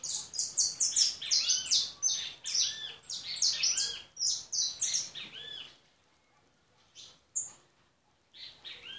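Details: European goldfinch delivering a dense, lively run of high chirps and trills for about five seconds, then falling quiet apart from a few scattered notes.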